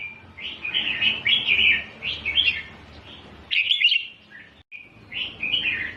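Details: Bright, liquid warbled phrases from a red-whiskered bulbul singing the doubled style used to teach chicks, flowing almost without pause, with one brief silence near the end, over a low hum.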